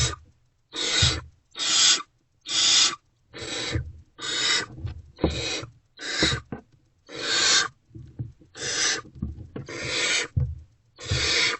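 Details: Barn owls in a nest box at night, 2:15–2:33 am on 28 February 2024, as food deliveries continue: a steady series of rasping, noisy hisses, each under half a second, about a dozen in quick succession, with soft shuffling beneath.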